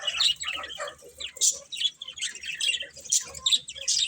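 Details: Several sharp, high chirps and squeaky notes from budgies come in irregular bursts, about one every second, over a softer chattering background.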